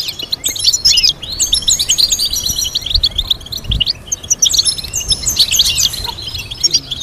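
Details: Goldfinch singing a stimulating training melody: continuous, fast, liquid twittering with repeated chirp runs and bright trilled flourishes, one brief lull after the first second.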